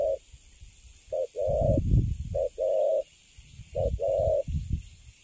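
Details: Recently caught spotted dove standing still in a cage and cooing in the cấn sấm manner: three spaced phrases, each a short coo then a long level coo, with low rumbling noise between.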